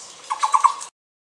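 A Taiwan barbet gives four quick, hollow, low-pitched notes in a steady run, each about a tenth of a second apart, over a faint background hiss.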